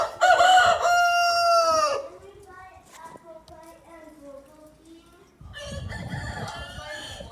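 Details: Rooster crowing: a loud, harsh, drawn-out cock-a-doodle-doo lasting about two seconds, then quieter clucking and murmuring, with a burst of rougher noise near the end.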